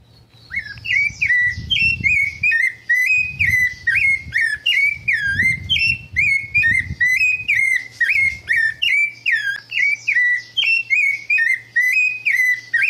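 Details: A wild rufous-bellied thrush in the caatinga sertão after rain sings a steady stream of clear, fluty whistled phrases, each slightly varied.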